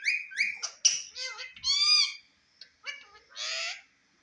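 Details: Captive Indian ringneck parakeet in front of a mirror giving rapid nasal, word-like squawks and whistled syllables, a quick run of sounds followed by a brief pause and two more harsh notes.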